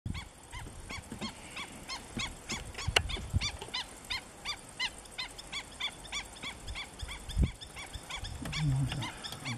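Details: A juvenile black-winged stilt in Cyprus gives a quick, steady run of short, thin yelping notes, about three a second, over low wind rumble and a few thumps.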